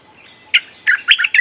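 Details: Bulbul lure song used to call in wild birds: a brief burst of four or five quick, bright chirped notes, warbling up and down, after a quiet start.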